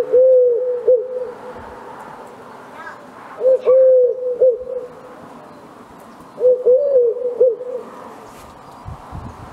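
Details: Eurasian collared dove (Streptopelia decaocto), call.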